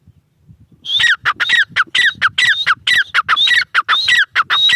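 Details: After a second of faint rustling, a grey francolin bursts into rapid, harsh, repeated phrases with high whistled tops and descending strokes, delivered quickly and somewhat unevenly.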